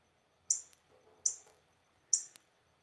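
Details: A nesting female Northern Cardinal, sitting on eggs outside a window, gives three sharp, high, metallic chips spaced about a second apart, over a quiet indoor background.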